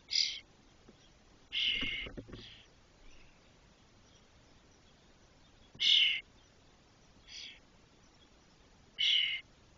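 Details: Fully feathered Spotless starling nestlings aged 21–22 days in a nest box at Doñana National Park, Spain, making brief excursions within it; five harsh, buzzy, rasping calls come at irregular intervals, with faint scraping between them.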